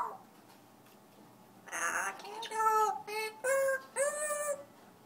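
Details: African grey parrot singing a run of five clear, tuneful harmonic notes, some level and some gently bending, a few about a second apart, after a brief opening sound and a quiet start.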